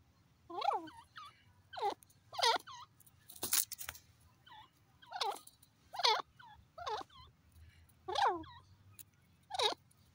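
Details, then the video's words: Grey francolin, called irani teetar: loud, harsh, ringing calls with stacked overtones, repeated roughly every one to one and a half seconds, with a burst of noise in between and a faint low hum underneath. "orignal teetar awaz irani teetar ki sound"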